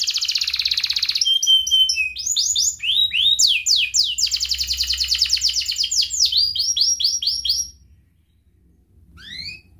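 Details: Domestic canary, in peak singing form, recorded as a lure for young birds learning to sing: rich buzzy trill, brief whistle, then chains of rapid swept notes and rolling trills before falling quiet, one last rising phrase.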